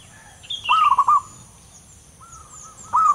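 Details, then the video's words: Wild zebra dove in its natural habitat, its rolling, deep and long coo: a wavering trilled phrase at mid pitch, a quieter sustained note, then another roll begins; higher descending notes from another bird and a faint high hiss. "perkutut lokal alam liar suara tebal istimewa"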